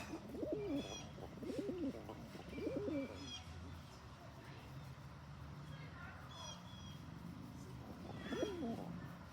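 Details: Male rock pigeon acting as a bully toward other pigeons, very vocal: four low rising-falling coos over about nine seconds, spaced roughly a second apart, with faint high chirps of small birds behind.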